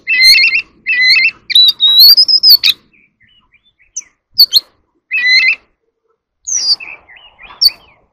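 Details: Oriental magpie-robin singing competitively and displaying: loud stacked whistled phrases repeated in short bursts, a long rising whistle, then sharp chirps separated by brief pauses.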